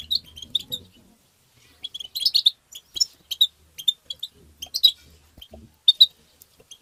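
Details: Excited tabtaba-style goldfinch song used to stimulate goldfinches: sharp, high chips and tinkling twitters delivered in broken bursts, with brief gaps between phrases and a soft low murmur early on.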